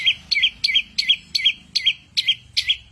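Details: Bird with a many-voiced mimicking song repeats a loud, crisp high chirp with a twisting downward inflection, roughly three times per second, steady and sharp against quiet background.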